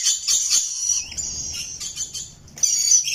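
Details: Rainbow lorikeet parrot: rapid, piercing high chirps run together into a long screechy stream, pausing briefly before a fresh burst.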